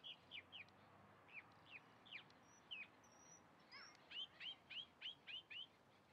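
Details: Chalk-browed mockingbird singing hooked, downslurred whistles spaced apart, a couple of thin high tones, then a tight burst of repeated sharp notes near the end.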